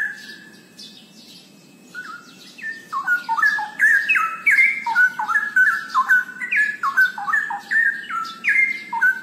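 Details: Loud melodious straw-headed bulbul (cucak rowo) song beginning after a quiet start with one held whistle, then building into a continuous stream of rich, jumping, bubbling whistles; thin high-pitched chirps of other birds faintly audible.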